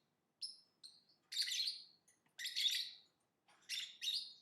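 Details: Lovebird chirps: a few thin high squeaks, then three long harsh buzzy chirp bursts spaced about a second apart.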